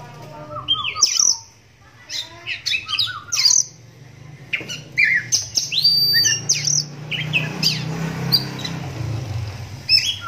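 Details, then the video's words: An adult captive Oriental magpie-robin, blind in its right eye from a cataract since young, sings varied, clear whistles with sliding notes and sharp chirps, and other magpie-robins quickly answer, over a faint low hum. "Suaranya Mampu Bikin Kacer Lain Langsung Nyahut"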